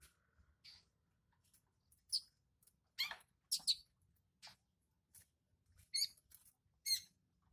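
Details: Juvenile long-tailed shrike in full song: a string of scratchy, buzzy notes, some with rattling, stacked tones, delivered irregularly in short bursts with brief gaps.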